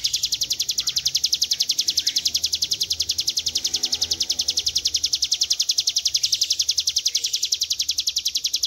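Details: Extended 'ngebren' trill from a Hill Prinia (ciblek gunung), meant as a training recording: nearly nine seconds of fast, metallic high pulses in a steady rhythm, never pausing, with soft low background noise.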